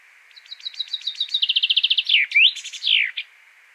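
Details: A single loud, clear strophe from a common chaffinch: quick repeated notes that speed up into a rattling trill, dropping and finishing with a squeaky, sweeping end flourish against a quiet background.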